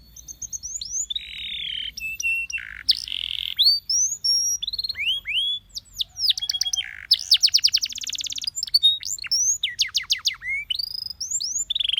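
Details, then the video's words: A canary sings a long, varied song without a break: bright rising whistles, fast buzzy trills and rapid rolling notes, all high-pitched, used to encourage other canaries to sing. "Canaries seduce friends to sing!"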